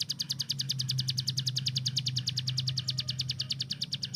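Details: Rapid-fire 'tembakan' song of a kept hill prinia master bird. Dense run of crisp, high ticking notes repeats quickly and evenly without a break, with a steady low hum underneath.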